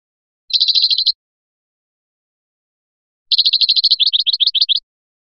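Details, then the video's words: European goldfinch from Biskra, flyachi style: a short buzzy trill, a pause of about two seconds, then a longer dense trill shifting into quicker separate chirping notes. "تغريد مقنين بسكرة الفلياشي الرائع"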